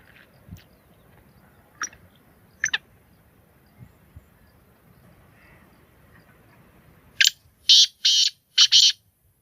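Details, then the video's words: Black francolin calling: quiet background with a few faint clicks and distant chirps, then a loud, harsh series of five grating, rasping broadband syllables delivered in quick succession over about two seconds. "Beautiful voice of black francolin Kalay Teetar Ki Awaz Kalay Teetar Ki Boli Sindhi teetar ki awaz"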